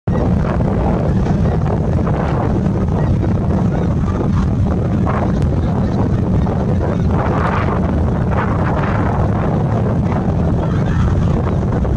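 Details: Steady low wind rumble and engine or water noise with a faint murmur of voices; no animal calls stand out.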